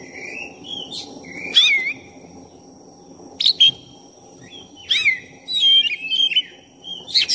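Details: Song of a black-chested oriental magpie-robin, singing non-stop to provoke another magpie-robin: rich run of whistled notes, downward slurs and trilled flourishes in several bursts, over a low noisy background and constant high tone.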